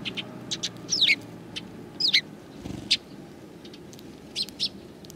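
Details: Sparrows coming to meet the filmer, 7 April 2020, outward walk, one sparrow with a sore foot; a few sparse, thin, falling chirps, some paired, fairly quiet above a low murmur.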